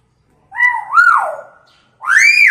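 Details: Unusual siren and screaming imitation by a chattering hill myna, meant to provoke quiet mynas: a loud wavering wail rising then sliding down, a short gap, then a strident high arching shriek.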